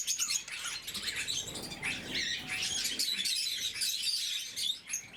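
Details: Pet lovebirds of the blue mutation feeding in the morning: high, scratchy chirps and squeaks from a group, steady overlapping chatter with a brief softer dip near the end.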